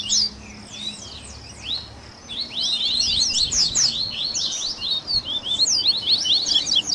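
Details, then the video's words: Coleiro 'baderna', a Double-collared seedeater song mix with styles like viviti and flauteado for training captive birds: sparse high notes at first, then a dense stream of quick sharp chirps and slurs to the end. "ESQUENTE SEU COLEIRO Áudio de Baderna"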